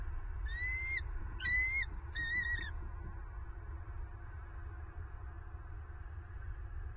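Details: Bald eagles at their nest in Southwest Florida, caught by a nest camera on the morning of 26 November 2022: three thin, whistled, slightly rising notes about a second apart over the first three seconds, then a steady low rumble.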